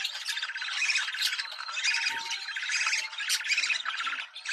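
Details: Budgerigar chorus used to prompt mating: fast, rhythmic pulsed warbling with squeaky whistled notes and clicking squawks, steady and unbroken across the clip.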